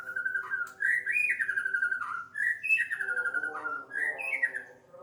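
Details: White-rumped shama singing in the afternoon: a flowing run of clear whistled phrases that rise and fall, with slurred notes and short pauses between phrases, set against faint lower tones.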